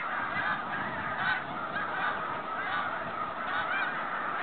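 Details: Snow geese flying home on migration, 2013: a distant-sounding, even chorus of many overlapping honks without clear individual calls, lightly swelling and fading.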